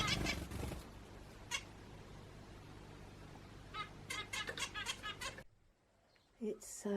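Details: Two house finches chirp, heard from indoors on 26 March while a person talks: one short, bright chirp, then a quick run of about a dozen, over a steady background hum.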